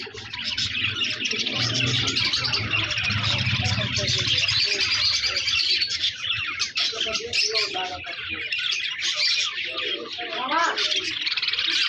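Budgerigars chatter in a busy flock, a dense stream of high chirps, warbles and squeaky notes.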